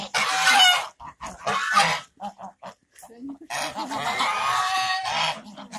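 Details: Talkative geese giving harsh, loud honking bursts in quick succession, broken by short gaps filled with softer nasal notes.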